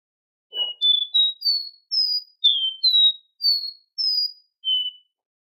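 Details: Captive Copper seedeater song of about nine pure whistled notes at shifting pitches, several slurred downward, steady spacing, with a faint low thump near the start.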